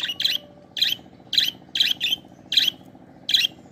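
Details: Budgerigar giving short, harsh chirping double-notes around every half to one second, with a faint low hum in the background.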